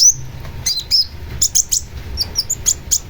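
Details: Long-tailed shrike giving a quick, chattering series of high, sharp chirps and short slurred notes, roughly four to five per second, in a nearly continuous stream.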